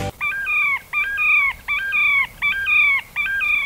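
Terek Sandpiper giving clear, fluting whistled notes, each slightly drawn out and falling at the end, repeated five times at a steady pace of about one per second.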